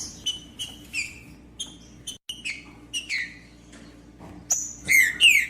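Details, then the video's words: Green-winged saltator singing to encourage a quiet caged saltator: irregular short chirps and downslurred notes, a brief gap, then loud sweeping whistles at the close. "MELHOR VÍDEO PARA ESQUENTAR TRINCA FERRO COM TRINCA FERRO CANTANDO"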